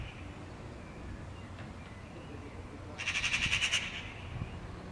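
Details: Eurasian magpie giving a harsh, rapid rattling chatter of about eight dry pulses lasting under a second, preceded by quiet background hum and faint distant sounds.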